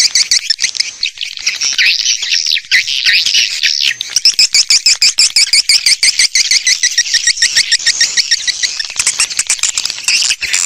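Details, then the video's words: High, buzzy twittering of swiftlets used as an attracting lure, with sweeping chirps giving way to fast, even pulsed rattles that run on through the recording. "Âm thanh dụ Yến"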